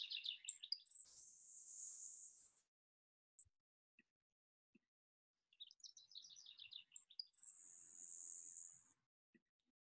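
A Grasshopper Sparrow sings twice: a few thin, high ticking notes followed by a long, very high, insect-like buzz lasting over a second.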